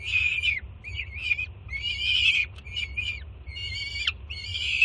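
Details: Jersey City peregrine falcon chick screaming with excitement at the mother's arrival with morning food, June 2017; drawn-out hoarse shrieks alternating with shorter wavering notes, one sharply falling near the end.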